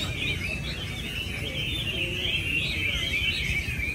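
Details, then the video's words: Chinese hwamei at a Vietnamese singing competition in Mỹ Đình, 19 July 2020, entry 37 taking first place. Rich, fluid whistling with quick wavering notes fills the short stretch while people murmur in the background. "HỘI THI HỌA MI HÓT MĨ ĐÌNH 19/7/2020"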